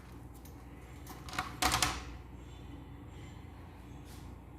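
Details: Low indoor hum broken by a few soft knocks and one louder clatter near the middle, with no animal voice.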